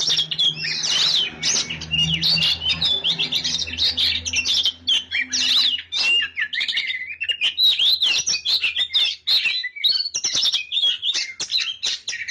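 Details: Kacer, or Oriental magpie-robin, pouring out a long varied song of bright whistles, twittering trills and scratchy notes, rising and dipping in quick succession, with a low droning hum beneath the first half.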